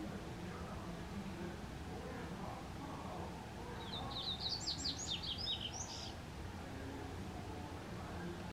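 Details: Double-collared seedeater singing one brief, rapid phrase of high twittering notes that rise and then slur down, heard once midway and rather faint over steady low rumbling background noise.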